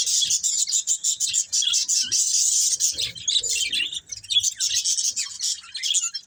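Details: Breeding pair of budgerigars kept as pets, chirping continuously: dense, rapid, high warbling chatter with short squeaky notes, barely pausing, faint low thumps beneath.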